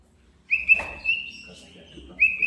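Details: White-rumped shama, a male singing to call out and anger a rival. A short, high, steady whistled note is held for over a second, with a second whistle starting at the end.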